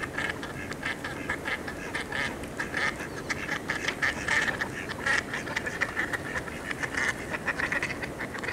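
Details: Mallards recorded on 20 November 2022, giving a busy chorus of overlapping nasal quacks and chatter, many birds calling at once in short repeated bursts over a steady background hiss.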